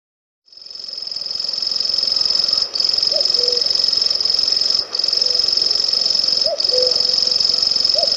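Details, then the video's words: Grasshopper warbler of the genus Locustella giving a continuous, high, insect-like reeling trill that holds steady throughout, with a few brief dips, alongside faint low soft notes from another bird in the background. "Сверчок. Голоса птиц"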